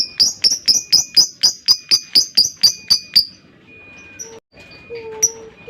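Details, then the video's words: Lovebird ngekek-style chatter meant to provoke a rival: a fast run of sharp high chirps, about four per second for three seconds, then sparse faint calls and a lower hum. "LOVEBIRD LAWAN LANGSUNG NGEKEK PANJANG"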